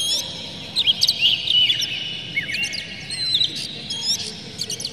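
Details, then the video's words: Oriental magpie-robin song intended to stir birds into singing: sweet whistled slurs and short downward glides mixed with scratchy chips, in brief phrases over a steady low noise. "PANCINGAN KACER Buka Ekor KONSLET bongkar MATERI KASAR JERNIH agar KACER emosi"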